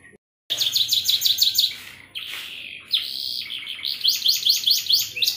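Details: Domestic canary delivering an elaborate gacor song in the cengkok mewah style: quick high rattling trills, a sliding whistled note, then a sustained buzzy tone before the rapid trilling resumes.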